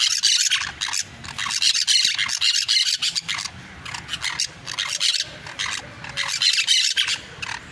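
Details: Parakeets sing in a busy stream of raspy, squeaky chirps, several per second, rising and falling in loudness with short lulls, and a faint low rumble behind.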